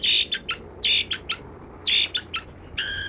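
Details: Long-tailed shrike singing in a style called 'kaya rasa': harsh, buzzy phrases of three notes repeated about once a second, each opening with a strong scratchy burst, ending in a steadier banded note; low hum behind.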